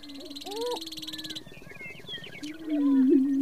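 Greater prairie chickens give low, hollow, moaning hoots that swell and dip, overlapping one another, with sharp cackles and whoops from other birds on the display ground.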